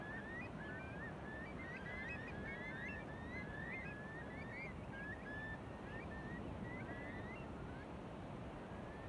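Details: Flock of curlews on Beadnell Bay, Northumberland, in December 2018, giving a steady chorus of upslurred whistled calls, many birds overlapping, set against loud low wind and wave noise.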